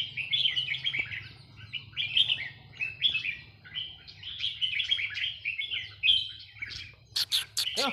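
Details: Red-whiskered bulbul of a Burmese strain singing, a rapid run of bright chirpy warbled phrases, with several sharp descending notes near the end and a low steady hum beneath.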